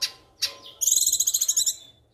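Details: Young female Sumatran leafbird, caged, still moulting yet singing actively every day: two sharp harsh notes, then a rapid, high, even rattling trill of about fifteen pulses lasting about one second.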